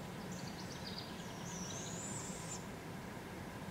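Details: Fledgling barred owls getting fed by parents in a local park, Polk County, Iowa, July 6, 2017; a single long, raspy hissing screech slides upward and cuts off abruptly, over constant low-pitched background rumble.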